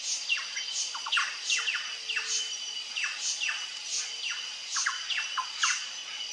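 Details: On a trail, a plush-crested jay repeats falling swept calls in clusters, some paired with short lower notes, over a constant high-pitched background buzz.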